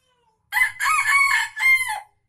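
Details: Aceh junglefowl crow, used to lure wild birds: one loud, hoarse, broken call of about one and a half seconds with a short first note, a longer middle section and a falling final phrase.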